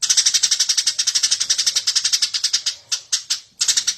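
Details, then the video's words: Eurasian tree sparrow giving a rapid, steady stream of bright chirps, roughly eight per second, that then loosens into spaced notes near the end. Recorded as a master for training birds to sing. "suara burung gereja gacor cocok buat masteran"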